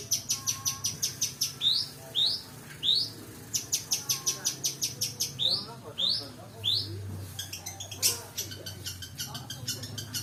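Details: Long-tailed shrike (pentet) lure song packed with 'isian' fill phrases: bursts of rapid high ticking notes alternate with loud upward-sweeping whistles and a few scratchy phrases, over a steady low hum.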